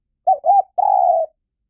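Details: A spotted dove gives a single phrase of two short, bent coos followed by a longer, level, slightly buzzy drawn-out note, clean against a silent background; lure recording for decoy trapping.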